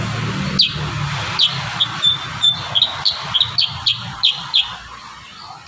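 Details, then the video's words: Kurincang in lively full song, used as training audio for other birds: a run of sharp high chirps and short whistled notes repeated every fraction of a second, over low background hum. "Masteran terbaru burung kurincang gacor isian"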